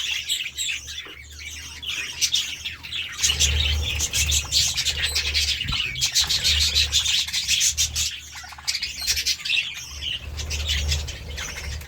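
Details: A group of budgerigars eating seeds and vegetables give a steady stream of rapid chirps, clicks and scratchy warbles, with a low rumbling hum.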